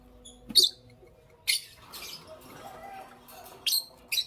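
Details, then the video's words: Four sharp, very high lovebird chirps stand out against a quiet room-like background in the morning, two early and a close pair near the end. "Lovebirds Chirping Sounds"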